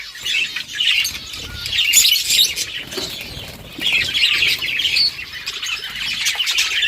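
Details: A group of budgerigars at play, October 30, 2023, gives continuous high warbling chirps in bursts, with rustling and fluttering wingbeats mixed in underneath.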